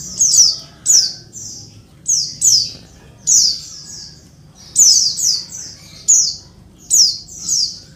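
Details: Oriental white-eye female calling to lure males: rapid series of thin, sharply falling then buzzing notes, often doubled, separated by short pauses, with a quiet low rumble underneath.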